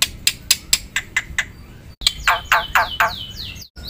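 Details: Black-winged myna in full, energetic song with fill-in phrases: evenly spaced sharp clicks about four per second, then a run of loud, harsh descending swept notes.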